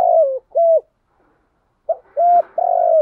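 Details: Spotted dove calling in the morning, a recording meant as a lure to excite other doves: low, mellow coos in short bursts, a sliding coo, a flat coo, then after a pause a quick note, a clipped coo and a long slightly rolling coo.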